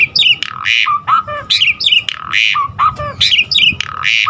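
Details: Asian pied starling (jalak suren) giving energetic song with varied fill phrases, meant to prompt caged birds to sing: one phrase of harsh rasping bursts with low whistled notes, repeated about every 1.7 seconds.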